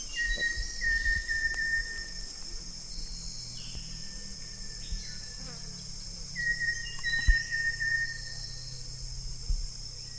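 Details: Banded yellow robin, or olive yellow robin, giving two drawn-out, steady whistled phrases several seconds apart, each slightly wavering then falling away. A man speaks Indonesian softly between them, with a steady high insect drone and low hum.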